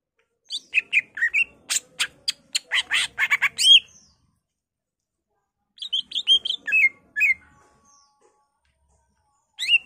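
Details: Greater green leafbird in energetic, emotional song with mimicked fill-ins of other birds; a fast run of dry, sharp chips builds into whistles, then after a pause a second cluster of bright slurred whistles.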